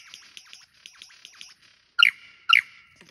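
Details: Lyrebird singing in cool wet rainforest of Tarra-Bulga National Park, Victoria; a soft run of quick downslurred chirps, then two loud, ringing notes half a second apart.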